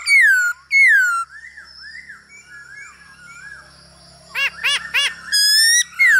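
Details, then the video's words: Male hwamei stimulated by a female's calls, used for song training: two loud falling whistles, a soft bubbling run of arched notes, three rapid hooked notes, then a long bright held whistle. "Khướu trống hót múa cực đỉnh kèm tiếng mái ro kích quá hay"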